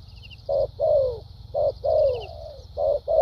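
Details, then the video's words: Spotted dove decoy bird in thúc gù style: three pairs of coos, each a short clipped note followed by a longer falling one, deep and mellow, with faint high buzzing in the background. "Đồng tốt tiếng bài bản.clip 870.nết chơi thúc gù,lèo dặm quá hay"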